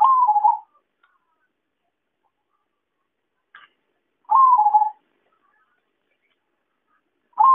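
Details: Lure call of a zebra dove for trapping: a short, trilled coo that dips in pitch, repeated roughly every four seconds, with a faint click between the phrases.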